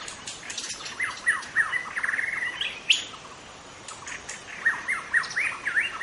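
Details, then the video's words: Wild forest white-rumped shama, its natural song used to lure other shamas: varied whistled phrases with rapid repeated slurred notes and trills, a brief pause, then more rising and falling whistles over faint forest background. "suara asli murai batu hutan cocok untuk Memancing murai batu lain"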